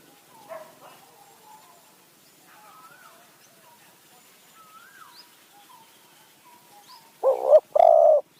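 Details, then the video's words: Spotted dove used as a decoy to lure wild doves in high mountain forest near Kanchanaburi, Thailand; after faint soft chirps, one loud low two-part coo ends the recording: a short wavering note, then a longer steady one. "ต่อนกเขาใหญ่ป่าสูง เมืองกาญ | คูอ่าง หนุนอ่าง คารมเรียกคําคูคํา"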